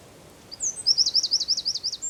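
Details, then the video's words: Eurasian wren singing in the San Miguel de Daño neighbourhood of Zamudio, 4 December 2019: a very high, rapid trill of repeated sharp notes after a brief introductory chirp. "TXEPETXA KANTUAN _2019.12.04_ Troglodytes troglodytes (Chochín común cantando)_"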